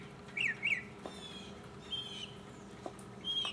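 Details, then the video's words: A solo mockingbird in 2015 gives sparse phrases: a pair of quick warbled notes, then separate thin, level whistles with pauses between them, against a faint background hum. "mockingbird Solo 2015"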